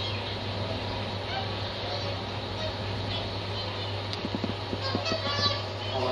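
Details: Whooper swans calling together as a flock: a dense wash of overlapping honks and bugling notes throughout, with several louder short honks near the end, all over a steady low mechanical hum.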